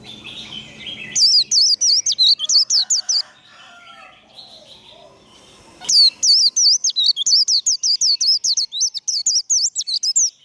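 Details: Warbling white-eye in 'khuyên líu' fighting song style: bright, rapid, high twittering whistles in a first burst, softer lower chirps in a lull, then a long energetic run of fast zigzag notes.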